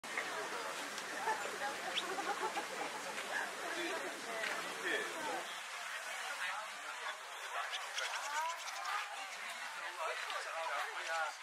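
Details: Barn swallows (Hirundo rustica gutturalis) at Shirakawago, Japan, in April 2014 twitter in a dense, overlapping chatter of quick high chirps and warbles, with a low background rumble in the first few seconds.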